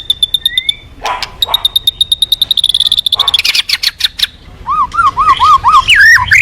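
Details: White-rumped shama, singing actively as a lure for other birds: rapid high ticking series, then buzzy trills and a string of looping, wavering whistles.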